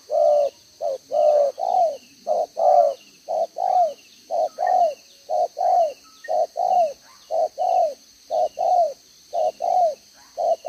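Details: Spotted dove decoy bird with a double-row spotted collar, recorded 11 June 2023, cooing in the 'đồng gáy 1 hậu' style. Paired low, hollow coos, a short note then a longer falling one, repeat steadily about once per second throughout.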